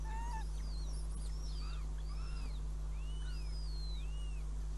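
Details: Northern goshawk at the nest in Riga on 5 June 2016, around a mouse as prey. Many thin whistled calls arch up and down, some overlapping, with one lower whistle at the start, all over a steady low electrical hum.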